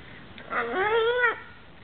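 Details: A Hyacinth macaw playing on a couch at night gives a single harmonic call, a little under a second long. The call rises, holds level, then dips at the end, over low background hum.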